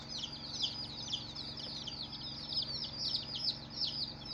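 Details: Several cute baby chicks peeping continuously, high thin downward-slurred notes packed closely together, with a soft electrical hum in the background.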